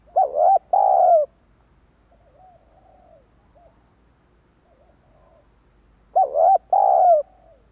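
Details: Lure recording of a spotted dove for drawing wild doves: a loud phrase of quick stuttered notes and a long falling coo, soft distant coos between, then the loud phrase again.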